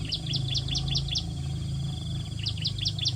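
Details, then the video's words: Bar-winged prinia nestlings begging while being fed at the nest. They give quick runs of sharp, high chirps, a brief buzzy trill in between, and another burst of chirps, all over a constant low hum. "Burung Ciblek Meloloh Anak yang kelaparan di Sarang"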